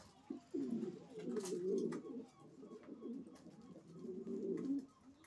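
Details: Racing pigeons give long, rumbling, throaty coos indoors, swelling and fading in two main phrases.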